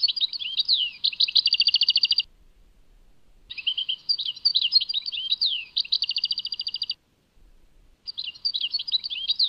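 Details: Tadmait-style European goldfinch singing: three bursts of bright twittering separated by short pauses, each mixing slurred chirps with rapid rattling trills. No other sounds.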